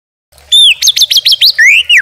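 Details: White-rumped shama song used as a tutor and provoking recording: a clear whistled note slurring downward, then a fast series of six sharp chipped notes and two more rising-falling whistles, loud and clean.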